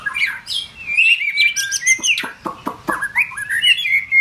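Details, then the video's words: Form-building white-rumped shama singing clear, sustained whistles interspersed with sharp clicking snaps and rising slurred notes, ending on a long steady whistle. "White Rumped shama- form building"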